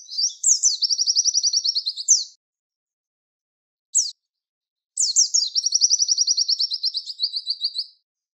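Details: Javan white-eye (pleci) tutor song in the rapid 'tembakan wit wit' style, for training contest songbirds: high chirps leading into a fast, even run of sharp 'wit' notes lasting over a second, a lone chirp, then another long rapid 'wit' series.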